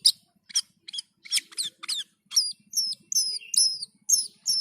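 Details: Black-and-white bulbul, singing lively (gacor) and dazed (teler): a rapid series of sharp high chirps, the later ones falling, whistled two-part notes repeated about every third of a second.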